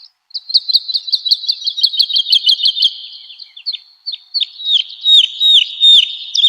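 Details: Woodlark song used to train house and contest birds: a rapid, tight burst of clipped high notes, then after a pause a slower phrase of louder, drawn-out downslurred whistles; no other sounds.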